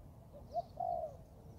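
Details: Young Thai-type spotted dove practising in the forest: a single phrase of a short note, then a steady, mellow, drawn-out coo.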